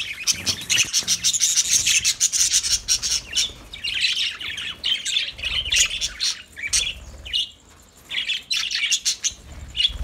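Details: Lovebirds singing: a near-continuous stream of harsh, shrill chirps and squawky twitters, fast and irregular, with a brief lull before the chatter resumes.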